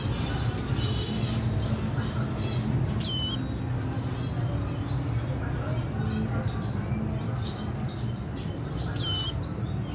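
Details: Red siskin hen with her chick, April 14, 2021: thin high chirps repeat throughout, punctuated by two loud downward-swooping whistles about six seconds apart, beneath which a heavy low droning noise persists.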